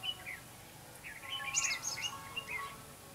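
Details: During trapping on 5 November 2016, a decoy red-whiskered bulbul gives a run of lively slurred warbles and high chirps, loudest near the middle.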